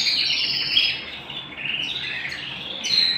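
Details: Domestic canary singing indoors: high twittering phrases that dip lower midway, then climb back into sharp bright notes near the end.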